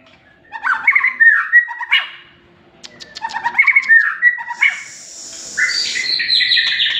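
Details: White-rumped shama giving two jumbled, warbling phrases separated by a pause, followed by a sustained, buzzy, high chatter.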